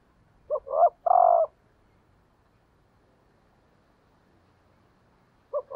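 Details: Female decoy spotted dove calling to stimulate males, one low hoarse phrase of two short notes and a longer coo, followed by silence and the opening of the next phrase near the end.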